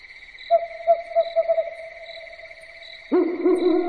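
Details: Owl at night giving a series of short, sharp mid-pitched notes, then a low, rich hooting burst breaking in near the end, all over a continuous high-pitched insect-like hum.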